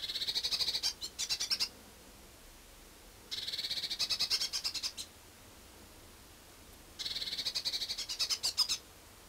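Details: A Eurasian blue tit being noisy at a drinking-and-feeding hide in Budapest-Csillebérc, Hungary, in winter on 1 January 2011, gives three short bursts of high, dry, buzzy chatter, each about a second and a half long, with quiet pauses between.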